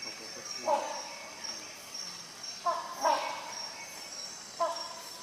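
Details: Rhinoceros hornbill giving three deep, nasal honks spaced about two seconds apart, the middle one doubled, over a steady high insect-like whine.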